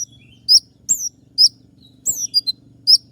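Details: Wild kolibri ninja sunbird, meant to lure songbirds: a few shrill, high downslurred chirps and a couple of short twitters in three seconds, over a steady low electrical hum.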